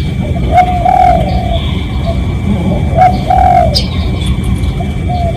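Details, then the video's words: Spotted dove cooing as a decoy sound to lure other doves, recorded live: two mellow phrases about two seconds apart, each a short note followed by a longer wavering coo, above constant low-frequency noise and a thin steady hum. "เสียงนกเขาใหญ่ เสียงจริง ถ่ายจิง เอามาให้ฟังกันยาวๆ เสียงเป็นเสียงต่อ รับส่งได้เลย"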